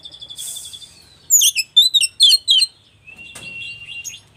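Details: Oriental magpie-robin of the West Java type, its song said to stir other magpie-robins: high buzzy chirps, then a loud rapid string of sharp whistled and chattering notes, ending with a thin, steady ringing tone and faint chirps.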